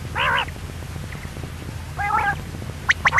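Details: Female common quail calling: two short nasal, harmonic calls with a wavering, buzzy quality about two seconds apart, then a few sharp high chirps at the end over a low steady hum.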